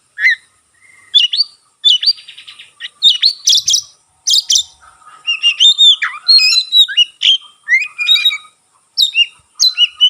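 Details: White-rumped shama with tail fanned, its song said to rouse other shamas; clean, quiet background carries a fast varied sequence of sweet whistles, chatters, buzzy notes and slurs, delivered in short bursts.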